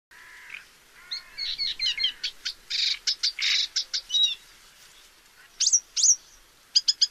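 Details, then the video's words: Paddyfield warbler from Central and Southeast Asia: a low nasal note, then quick chattering and buzzy bursts followed by bright upslurred whistles, in a quiet setting. "Paddyfield Warbler"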